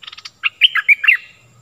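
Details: Stripe-throated bulbul lure song, meant to teach young birds and call in wild birds; a brief buzzy rattle then a clear, rich, warbling phrase of four emphatic whistled notes.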